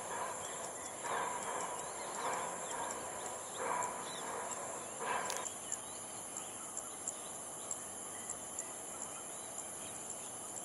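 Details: Ruddy-breasted crake at Jurong Lake Garden on 18 June, giving four harsh, rasping bursts about a second apart that then stop, over a constant hiss of high insect buzzing and faint background noise.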